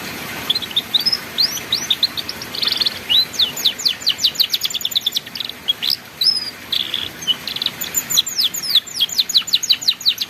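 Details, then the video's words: Canary song in the ngeriwik style, used as a master recording to teach young canaries to sing: rapid high trills and sharp downslurred notes in dense bursts, with a brief buzzy rattle near the third second. "MASTERAN BURUNG KENARI PAUD BELAJAR BUNYI NGERIWIK"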